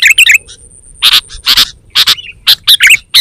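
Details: Energetic sooty-headed bulbul calling, meant to lure wild birds and tutor caged birds: rapid, loud, harsh chirps and short bubbling notes close together, with a low rumble underneath.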